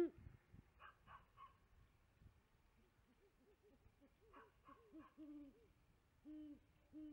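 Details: A female great horned owl at a tree nest around 5pm gives a run of soft, low hoots that grow louder and closer together, with brief scratchy noises early on; possibly a second female in the distance and a male in the background.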